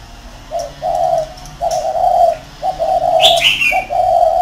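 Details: Decoy spotted dove, caged in a round cage, delivering rolling low coo phrases, with a bright, sharp chirp from another bird breaking in near the end.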